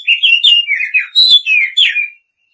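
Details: Oriental magpie-robin female calling the male with a fast series of slurred whistled chirps, rising and falling, about eight notes in two seconds, then silence; nothing else heard.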